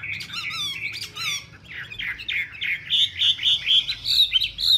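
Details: Female Chinese hwamei dancing with fanned feathers to rouse the male. Harsh squawky notes open, then a rhythmic run of bright, slurred whistled notes builds in loudness, repeating about twice a second, over faint low background noise.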